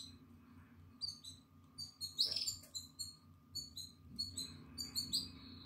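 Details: In-nest Atlantic canary chick at nine days, eyes open and feathers coming, 14 April 2022: high, slightly descending peeps in short groups, one louder burst of jumbled chirping near the middle, with a soft hum underneath.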